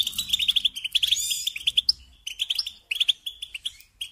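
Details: A goldfinch song used to tutor young birds: fast clipped chirps run into a shimmering trill, a short pause, then further bursts of twittering notes separated by brief gaps.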